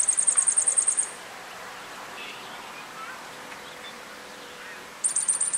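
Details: A yellow-faced grassquit (Tiaris olivaceus olivaceus) in Viñales, Cuba, July 2017, gives a thin, very high, insect-like buzzy trill of about ten rapid pulses, pauses four seconds, then starts again.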